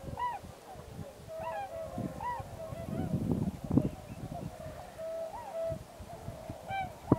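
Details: Migrating Tundra swans in a big flock at Pocosin Lakes National Wildlife Refuge, Pungo Unit: repeated rising-falling woo-like hoots from several birds over a steady droning chorus, with low rumbling and a sudden loud click at the end.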